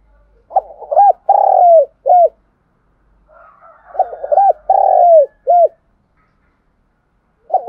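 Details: Spotted dove used as a lure bird for trapping, giving a standard calling coo: low hoarse coo phrases of several notes, a long slurred note then a short final coo, repeated twice, with faint soft murmurs between.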